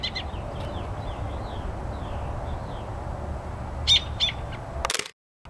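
American robin caroling softly: short whistled phrases rising and falling, one after another, over a steady low rumble, ending with a few sharp knocks.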